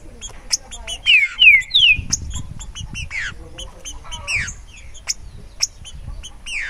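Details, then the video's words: Green-winged saltator (Saltator similis) singing a short run of three bright downslurred whistles about a second in, followed by scattered chirps and calls from other birds in the background. "TRINCA FERRO DESTRUINDO SOLTO"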